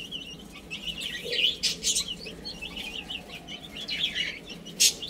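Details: Baby chickens playing and eating, giving a steady chorus of high, thin peeps from several chicks at once. Short sharp taps and rustles are scattered through, with a low background hum.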